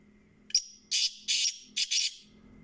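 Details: Kala teetar, the black francolin, giving its grating call: one short sharp note followed by three rasping, broad buzzy notes, the final one doubled, spread over roughly one and a half seconds; little other sound.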